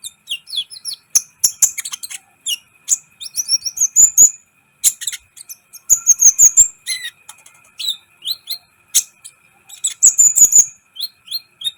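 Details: Brown-throated sunbird singing to excite other birds, used as a training recording: rapid high thin twittering, bursts of sharp chirps and short rising trills, with brief pauses between phrases.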